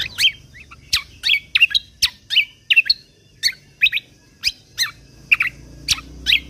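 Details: A training recording of lesser green leafbird (kecial kombok) song for songbird contests, in the 'tembakan kunti' style: a steady series of sharp, bright, strongly modulated chirps, about two per second, with a faint hum below.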